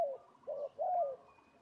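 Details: Labuan spotted dove lure bird kept for territorial fighting, at Laman Sungai Lada: three soft, hollow coo notes, the last one drawn out and slightly falling, against a quiet background.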